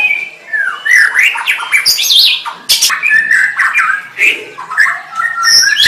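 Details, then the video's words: White-rumped shama song: a varied run of loud whistled and squawky phrases, sweeping notes and sharp clicks in quick succession, mostly mid to high pitched. "SUARA MURAI BATU"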